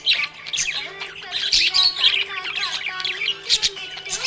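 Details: Budgie in a happy mood, chirping in a rapid, buzzy, scratchy warble broken by sharp high chirps, with steady tonal lines humming underneath.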